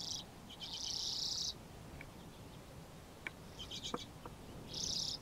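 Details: About 80 Common Redpolls, present for months and feeding near a grain silo bag in early March, give dry, buzzy trills and rapid, high-pitched chattering notes repeated in bursts.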